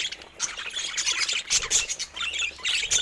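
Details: Budgerigars bred in several colour mutations chirp and squawk busily, bright squeaky notes and raspy trills overlapping in a lively, uneven chatter.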